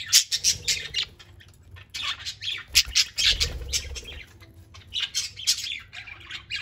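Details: Eight content, social parakeets free-flying in a house, playing: dense overlapping rasping chirps and squawks, rapid and continuous, with a faint thump of movement partway through.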